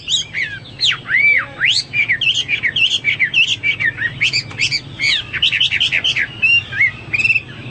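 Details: Hwamei singing loud, varied whistles, sweeping slurs and quick chattering notes in a dense, energetic stream, with a faint low hum behind.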